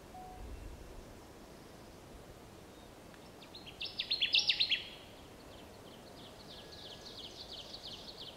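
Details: Connecticut warbler singing in Wisconsin on 30 May 2016: a burst of about eight quick, bright, chopped notes repeated evenly in a single phrase, rising slightly in loudness, with faint further notes trailing afterward against steady outdoor background noise.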